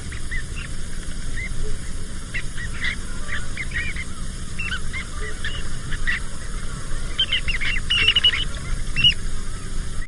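A flock of Western sandpipers gives a steady chatter of thin, high, short calls that builds toward the end, over a constant low roar of wind or surf.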